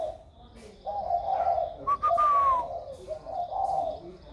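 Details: Hand-raised spotted dove, roughly a year old, newly cooing with a warm 'thổ' style voice. Soft low coo notes are run together into drawn-out phrases, with one sharp falling whistle-like note in the middle.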